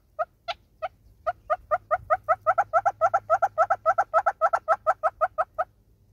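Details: Southern red-billed hornbill, South Africa: a few spaced single clucks at the start, then a fast, louder run of emphatic clucks before ending abruptly.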